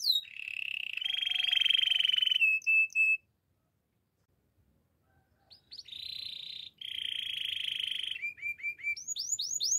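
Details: Canary training song: an even trill and short whistled notes, about two seconds of silence, then more trills resume and end in rising swept notes.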